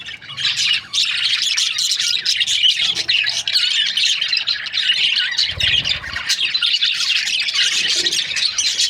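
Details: Budgerigars kept as breeding pairs give dense, continuous high chirping and chattering warbles from many birds at once, with a brief low thump near the middle.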